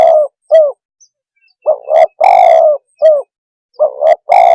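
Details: Spotted dove calling to stir up other birds: short hooked coos alternating with doubled notes and long drawn coos, about eight low, slightly rough notes in a broken, uneven rhythm with clean silences between.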